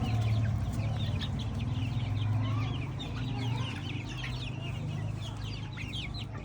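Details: Organic free-range chicks in an open field, a flock peeping constantly with thin, high, downward-slurred chirps overlapping in quick succession, over a steady low droning hum.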